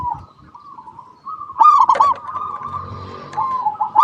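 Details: Local zebra dove singing as a lure for other doves: a soft purring trill, then a loud burst of clipped coos rolling on into a long trill, with a sharp note at the end.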